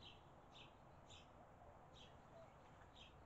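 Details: Barn swallow nestlings being fed by their parents in Las Cruces, recorded on a Campark TC04 camera: faint, high, short chirps repeated about every half second over a steady low background hiss.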